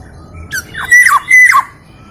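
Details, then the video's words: Black-naped oriole from East Java, said to sing with many sweet variations; a short phrase of two clear, fluty whistles, each sliding downward, preceded by a brief nasal note. "KEPODANG LOKAL JAWA GACOR VARIASI BUNYI BANYAK"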